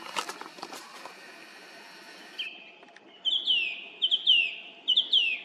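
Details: Song thrush singing in the evening at 18:50 on 18 April 2021 from a treetop by a road near Zarechny; after faint rustling, clear high whistled phrases repeated in quick sharp notes.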